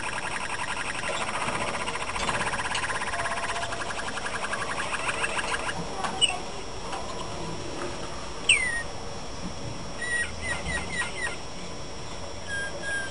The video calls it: canaris malinois